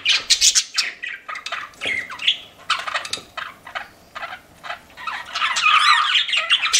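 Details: Several pet budgies chattering in a mix of sharp separate chirps and squawks, which swell into a thick, twittering warble toward the end.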